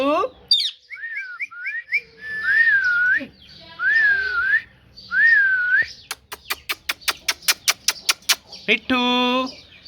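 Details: Parrot producing a rising squeal, short hooked whistles, then three wavy whistled phrases, a fast even series of about a dozen sharp clicks, and a final harsh nasal note.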